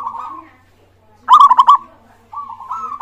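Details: Zebra dove singing as a lure to prompt other birds: a rolling trill, a pause, then a loud burst of rapid staccato notes, followed by another smooth rolling coo.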